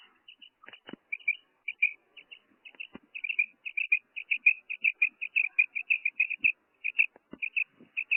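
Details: Female common quail calling, a long run of short, high, chirping notes in quick succession, often paired or clustered, sparse at first and then steadier at roughly two notes per second, with a few faint low thumps.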